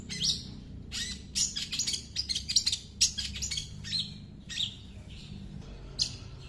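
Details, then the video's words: Mimicking song of a long-tailed shrike: dense run of scratchy, rapid high chirps in the first half, then sparser whistled notes and single sharp calls with pauses. "Cendet nembak burcil"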